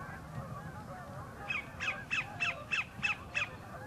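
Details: Singing for a mate at northern Horicon Marsh, a sandpiper starts after a quiet moment with seven crisp, downward-slurred notes spaced evenly at about three per second, over soft marsh background.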